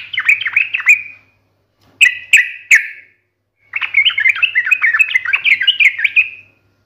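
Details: Yellow-vented bulbul (trucukan) with sharp 'ngalas tarung' singing. A quick warbled phrase, three separate loud emphatic notes, then a long, tumbling run of bubbly chatter.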